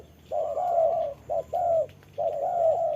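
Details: Spotted dove decoy in a trapping setup, facing off against a wild bird during rain; deep mellow coos, a brief note followed by a longer drawn-out one, three phrases with pauses.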